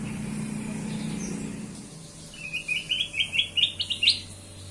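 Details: Lure song of a kutilang emas bulbul. A low rumble fades first, then a rapid string of clear, rising chirps lasting over a second.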